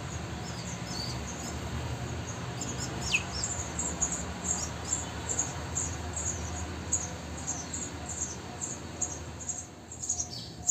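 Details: Three-day-old sparrow chicks in a bird house, the pair's fourth nesting there, fed insects by their parents: a dense, continuous stream of high, thin peeps, one clear sweeping downward call early on, over constant low hum.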